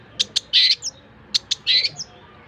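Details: Long-tailed shrike tutor song for other songbirds: two sharp ticks followed by a loud harsh, buzzy burst, repeated as a matching sequence.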